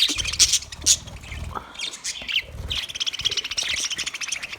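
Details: Budgerigars in an aviary in Australia, a flock chattering with dense high chirps, squawks and warbling trills overlapping throughout, low rumbling in the background.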